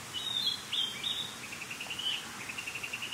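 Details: Narcissus flycatcher (Ficedula narcissina) song recorded on 23 May: bright, high whistled phrases, then a quick run of about a dozen evenly spaced clipped notes, over a soft hiss.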